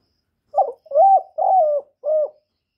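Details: Loud calling of a young male spotted dove kept as a cage bird: four low, mellow coos. A short first note is followed by two longer, drawn-out coos and a final shorter one, with no background noise.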